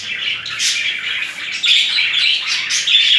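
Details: A pair of budgerigars mating and courting: buzzy, grating warble with short chirps, steady and loud throughout, in a small indoor space.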